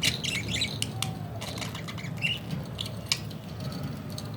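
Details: Budgerigars chirping: short squeaky warbled notes that twist up and down, scattered across the clip, with clicks, rustling and a low indoor rumble underneath.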